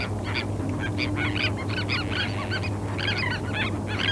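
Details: Several terns calling together on a sandspit at Murrell's Inlet, South Carolina, in April 2017, picked up with a parabola microphone: dense raspy, nasal notes tumbling over one another, with constant low background roar.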